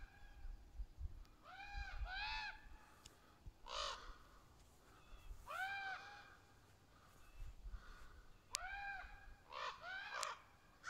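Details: Juvenile and adult ravens calling to each other in the trees, very vocal: hoarse arched caws, often in pairs, spaced a second or two apart, with rougher harsh calls between and a low rumble of background noise.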